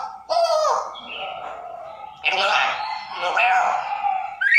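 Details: African grey parrot imitating human speech: drawn-out, voice-like phrases with wavering harmonic tones and a rising squeak at the end.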